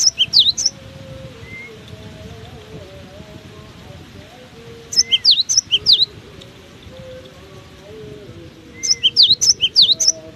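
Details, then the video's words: A cinereous tit keeps up lively song in strong wind, giving three bursts of fast, piercing high whistled notes roughly four seconds apart, each of six to eight chirps, over low wind rumble. "Diterpa angin kencang! burung gelatik batu ini tetap gacor"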